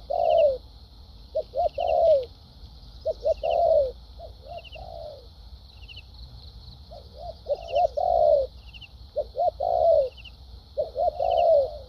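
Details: Spotted dove, a wild-caught bird with a lively competitive style, cooing in 'thúc gù' and 'lèo dặm' fashion: phrases of two or three quick soft notes ending in a longer falling coo, spaced by pauses, with a steady high buzz and faint chirps.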